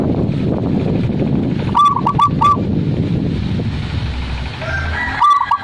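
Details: Zebra dove cooing: a four-note phrase near the middle, then a second phrase starting at the end, above loud steady low background rumble and a faint higher bird call.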